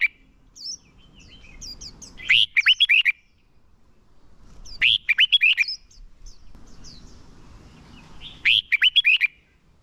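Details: Red-whiskered bulbul decoy song for luring and training contest birds: three short, loud bursts of five or six bubbling whistled notes spaced about three seconds apart, with soft high chirps in between.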